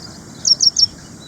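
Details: Three loud, very high sharp chirps in quick succession from an ashy prinia in India, each a brief slurred note, over a low steady background hiss.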